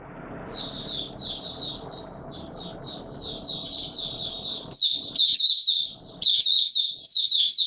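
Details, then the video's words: White-eye (Mata Puteh Raja) in full song on 20 March 2022, warm humid weather: long run of high, thin twittering phrases in quick succession, growing louder and sharper in the last seconds, over a low background hum. "Mata Puteh Raja Video 1 buka sing warm humid weather"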